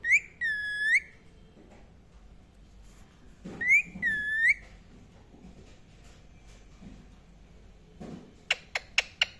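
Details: Indian ringneck parakeet chirping indoors: two clear whistled notes near the start, each dipping and rising, another pair after a pause, then four quick sharp clicks at the end.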